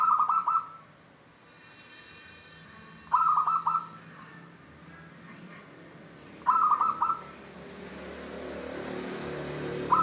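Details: Repeated short, tinkling coo phrases from a local wild zebra dove known for its 'Cristal tembus' voice: three full bursts about three seconds apart and the start of a fourth, over quiet hiss.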